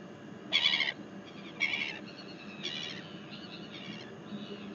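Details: A Northern royal albatross (Diomedea sanfordi) in New Zealand on 12 February 2021 gives harsh, rasping bursts about once a second, loud at first and then fading, over a steady low rumble of wind.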